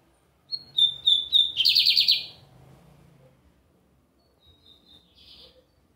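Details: Lined seedeater singing a lot at a Sunday gathering: four clear high notes, then a loud buzzy rapid trill, followed by fainter high notes and a short buzz, in a quiet setting.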